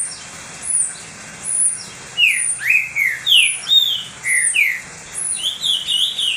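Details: Pet green-winged saltator in full song, meant to warm up other saltators: after two quiet seconds, a series of loud downslurred and upslurred whistles, each note distinct, ending in a rapid fluttering run of higher notes.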